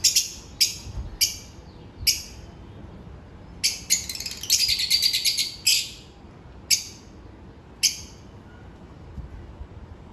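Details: Shrill, piercing chirps of African lovebirds in their daily routine, single sharp notes spaced about a second apart, with a dense chattering burst in the middle; quiet low hum behind.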